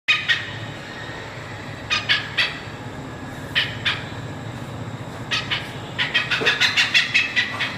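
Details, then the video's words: Oriental pied hornbill giving harsh, raspy cackling notes, first in scattered pairs and then in a fast, quickening run at the end, over a low steady rumble. "Oriental pied hornbill sound"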